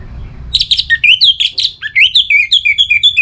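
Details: Orange-headed thrush in breeding condition singing to call a rival, Singaraja, northern Bali: continuous rapid warbling of bright whistled notes, swooping up and down, ending in a run of evenly repeated falling chirps.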